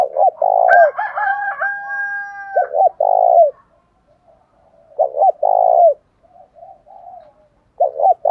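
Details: Spotted doves, male and female, calling as a lure to provoke fights: overlapping loud coo phrases at the start with a steady higher tone, then two more hoot-and-purr phrases separated by quieter cooing.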